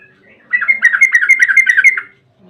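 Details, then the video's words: Yellow-vented bulbul long rippling song used to lure other bulbuls into singing: a fast continuous string of bubbly, warbling notes lasting about one and a half seconds. "trucukan gacor ROPEL PANJANG buat pancingan trucukan agar bunyi"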